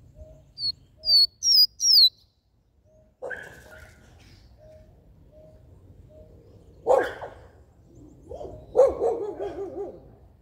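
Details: A Rusty-collared seedeater, a song recording meant to stir up captive males, opens with four quick, high, downslurred whistles; lower barking or whining sounds, possibly from a dog, follow.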